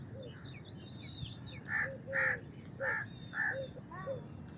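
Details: Rapid high chirping from small birds opens, then a house crow cuts in with a series of four to five coarse, grating caws spaced roughly half a second apart.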